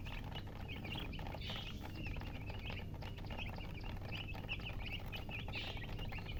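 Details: Loud chirping from just-hatched chicken chicks: dozens of quick shrill peeps overlapping without a break, set against a constant low-frequency hum.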